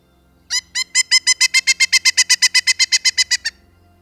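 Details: In Canada, a Pileated Woodpecker gives a loud, ringing series of about sixteen even notes, fast and steady, briefly rising then level, with a faint low hum behind.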